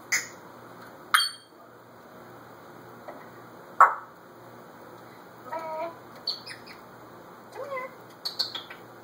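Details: Indoor pet African grey parrot, male, performing alone in a room before a phone: a varied string of squeaky chirps, sharp clicks and wavering whistled notes, spaced irregularly over several seconds.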